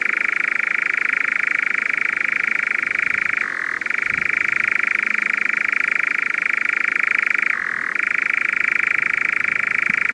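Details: Insect-like churring song of the European nightjar, a twilight insectivore, running without pause for ten seconds, with two short drops to a lower pitch before the fast, even trill returns.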